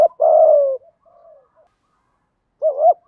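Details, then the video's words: Spotted dove cooing, male and female, meant to lure wild birds: one long low falling coo, a soft quiet murmur, then a short hooked coo beginning again. "Chim cu gáy thúc gù cực đỉnh dùng để anh em kích bổi mới hiệu quả, bổi gáy theo rất sung"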